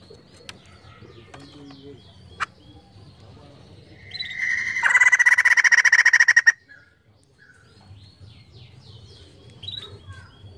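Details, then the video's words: White-crested laughingthrush singing actively, used as a lure sound: a loud, rapid, chattering burst with a steady high note between softer whistled phrases, other birds twittering in the background. "POKSAY JAMBUL GACOR UNTUK PANCINGAN BUNYI"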